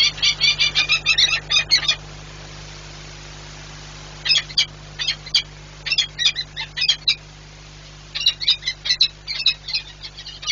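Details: Peregrine falcon at the Orlen Płock nest on 1 April 2022, from the pair Werwa and Rafik, with Werwa apparently having trouble landing: three bursts of harsh, rapid squawking notes, each one to two seconds, over a faint steady hum.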